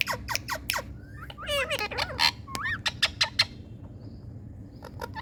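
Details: Indian ringneck parrots give a burst of harsh, wavering squawks and twisting whistles after a few dry clicks, then fall quiet apart from faint taps and background hum.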